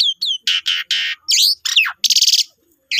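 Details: Short burst of Asian pied starling lure song aimed at drawing song from other starlings: two hooked whistles, harsh buzzy blocks, a descending sweep and a pulsed rattle.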